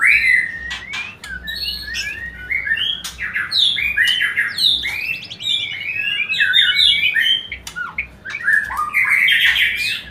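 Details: Murai batu, the white-rumped shama, singing to encourage quick mating: loud, fluent medley of clear whistles, rising slurs and scratchy chattering notes, continuous and fast-changing, with brief pauses between bursts.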